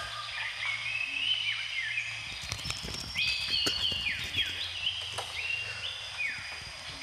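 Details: Brunei recording from 2013 of a mangrove whistler: a run of clear whistles, each holding a level tone before dropping steeply, repeated in quick succession, with crackling and tapping noises in the background.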